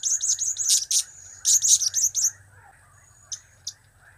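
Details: Buzzy, dense bursts of high chatter from a blue-crowned hanging parrot, two clusters, then two lone sharp ticks; cap, kiak and crap calls.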